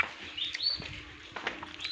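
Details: Turkey chicks hatching in an incubator at a farm in Darrang, Assam, give longer, thin, slurred upward whistles mixed with short peeps and a few soft knocks, with a faint low hum.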